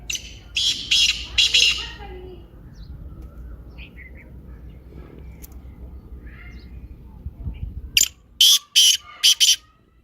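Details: Black francolin (kaala teetar) with its lively call, heard twice: an opening run of four harsh grating bursts, a quieter stretch with faint chirps, then another loud series of rasping notes.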